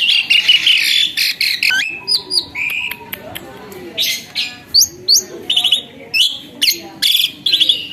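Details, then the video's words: Caged myna, once skittish and wild, now suddenly tame and singing eagerly: a rapid, varied stream of high chirps, sharp whistled notes and upslurs, delivered in quick bursts with short pauses between phrases. "tiba tiba burung ini jadi gacor dan jinak, awalnya burung giras"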